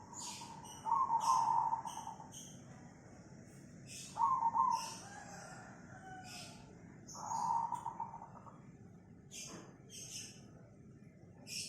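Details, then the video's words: Song of a cemani zebra dove from Tangerang, Banten, Indonesia, 24 August 2020: three rolling, trilled coos of about a second each, repeated roughly every three seconds, with scattered thin high chirping from other small birds throughout. "Suara burung perkutut cemani"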